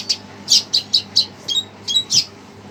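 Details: Red siskin excited by a played recording, uttering a string of loud, sharp high chirps, roughly one every quarter second, some with thin whistled tails, over a faint room hum.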